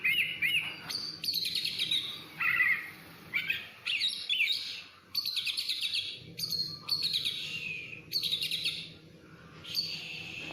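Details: Oriental magpie-robin (kacer) singing a loud, varied song of whistled slurs, rapid buzzy trills and scratchy notes in phrases of about one second, with brief pauses between them, over a low background hum.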